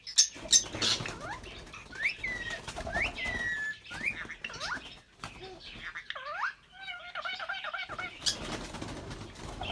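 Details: Pair of albino red-eyed lovebirds chirping and singing: a busy run of upward-sweeping whistled notes and chips, a deeper curved whistle mid-way, then a string of wavering notes before dense chatter resumes.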